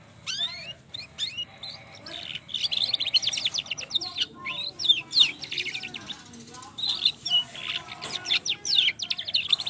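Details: Long rolling song of a young trotol canary, used to prompt other canaries to sing. Quick descending whistles open into sustained buzzy trills and rattling rolls, repeated in waves throughout.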